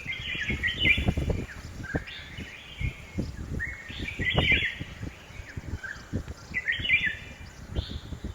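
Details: A red-whiskered bulbul in a home garden in Hosur gives short, bubbly whistled phrases every two to three seconds, with low rumbling thumps and background noise underneath.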